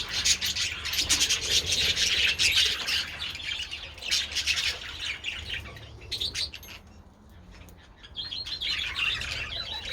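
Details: Budgerigars out in the sun with treats on 27 February chatter in loud, scratchy warbling bursts, easing to a quieter lull around seven seconds before rising again into bright chirps.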